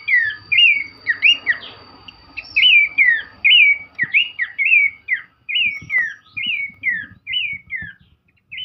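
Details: Energetic song of an Abbott's babbler performing a dance, with bright whistled notes that swoop up and fall away, repeated steadily about every half second against a quiet background.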